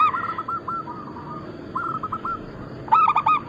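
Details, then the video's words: Several local Bangkok-cross zebra doves used as a lure recording. Soft distant cooing phrases carry through, then a loud close bird gives a short burst of three or four rapid cooed notes at the end. "Perkutut lokal gacor"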